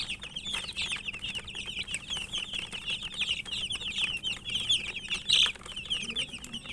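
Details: Young chickens chirping during feeding: an unbroken chorus of shrill, descending peeps from many chicks, one sharper louder cheep near the end, with pecking taps and a faint hum.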